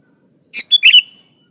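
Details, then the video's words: Sooty-headed bulbul, lure recording for catching bulbuls: one brief phrase opening with a buzzy chirp, followed by a quick pair of bright notes that slide down, over a thin continuous electronic whine. "Suara Burung Kutilang Gacor ASLI Tanpa isian, Ampuh untuk Pikat bikin kutilang Ribut gacor"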